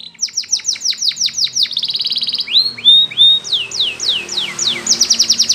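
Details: Belgian canary song of rapid repeated downward-sweeping notes, a short buzzy trill, rising slurs, then another run of fast descending notes, clear and loud over light hiss.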